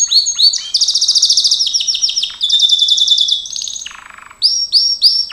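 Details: Loud Gloster canary song for training: quick upslurred chips lead into extended fast trills at shifting pitches, a lower rattling roll, then three ringing looped whistles.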